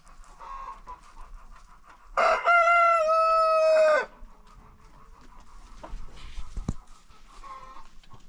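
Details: A rooster on a farm, crowing after breakfast alongside other roosters, gives one loud, drawn-out crow lasting about two seconds, holding a steady pitch before dropping away, over faint clucking and farmyard background.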